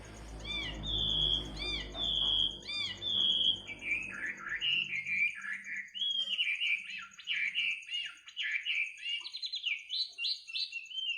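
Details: A bird sings in the middle of the night, opening with three repeated hooked whistles, then launching into a long, rapid, warbling run of varied notes; low rumbling noise fades early on.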